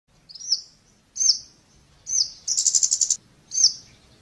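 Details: Scarlet-backed flowerpecker giving short, very high, thin ticking notes about every second, with one rapid buzzy rattle of clicks in the middle; quiet background otherwise.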